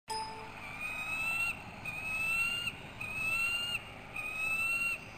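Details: Bald eaglet at a nest in Maine on 13 June 2012 around 3:45 pm, vocalizing excitedly while being fed after a food drop: thin, whistled, slightly rising notes repeated about once a second, with steady background hiss.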